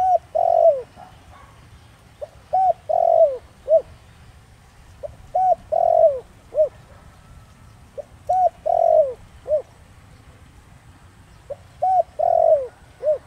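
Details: Spotted dove in the 'thổ đồng' voice, used to lure wild doves into answering; phrases of three or four low hooting coos, the middle one long and falling, repeated about every three seconds over a steady low rumble.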